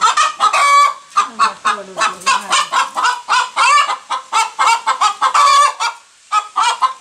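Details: Domestic hen cackling right after laying an egg, a dense series of loud, harsh clucks in quick bursts, broken by a short pause and a few rougher drawn-out squawks.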